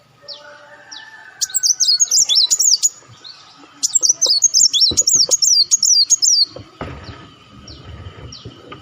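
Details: Olive-backed sunbird, played as a lure for attracting birds, giving two long runs of rapid, high, zigzagging twittered notes, with fainter thin calls before and a rustling noise near the end.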